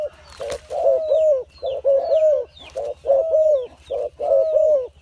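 A dove coos in low, soft phrases of two to three notes, repeated about once a second, with a steady low hum and faint chirps behind.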